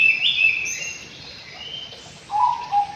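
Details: White-rumped shama in an aviary: brief clear whistled notes, a high sliding phrase early on, then lower warbled whistles rising and falling near the end, over a soft background hiss.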